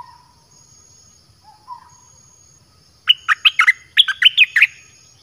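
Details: Red-whiskered bulbul kept in a cage, its song used to draw in wild birds; after a soft low note, a lively series of about nine sharp, falling whistled notes follows in two quick groups.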